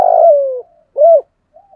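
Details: Spotted dove decoy in 'giọng thổ' voice, calling to draw wild doves in to fight. One long, loud coo sliding gently downward, a short arched coo, then a faint soft note.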